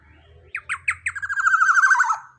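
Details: Black-naped oriole, a young bird with a big body and loud voice, gives three or four clipped, spaced notes that run into a quick, harsh, descending chatter about a second long. A faint low hum sounds underneath.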